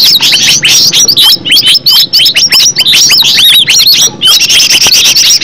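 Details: Loud, fast, unbroken green leafbird song, dense high whistles and squeaky sweeping notes tumbling one after another, with a brief pause near the end before buzzier chatter resumes.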